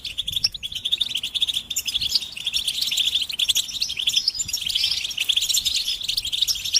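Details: Goldfinch chorus of mating and readiness calls meant to make a male sing without pause: an unbroken wash of fast, high, jingling twitters from multiple birds, loud and even from start to finish.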